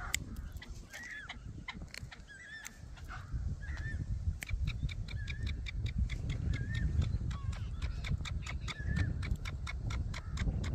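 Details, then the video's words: Black francolin giving short, harsh, bent notes repeated every second or two, with scattered sharp clicks over a heavy low rumble of wind or handling noise. "Kala teetar ki awaz | Black francolin voice"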